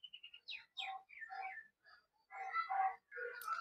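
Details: A common myna perched long on a rooftop at sunrise in Assam, with hills in view, sings a jumbled song: clear whistled notes, downslurred squeaks, then harsh gurgling chatters and creaky phrases, with possible faint voices nearby.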